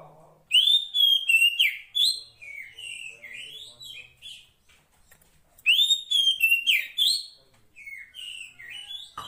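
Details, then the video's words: Calling for the male, a female 'poci' Oriental magpie-robin in the wild delivers two loud bursts of fast, slurred whistles, with softer scattered notes between them. "Kacer Poci Betina memanggil Jantan"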